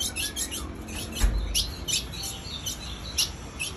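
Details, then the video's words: Female ultramarine grosbeak calling without stopping: short high chirps repeated about every half second over a steady low background hum. "Piado de fêmia de azulão sem parar"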